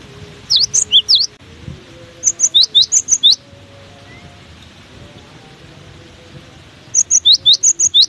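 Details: Cinereous tit singing despite strong wind, alternating short swooping phrases with rapid trains of paired high notes, a bright upper pip and a lower downslurred whistle, repeated about three per second, separated by windy pauses.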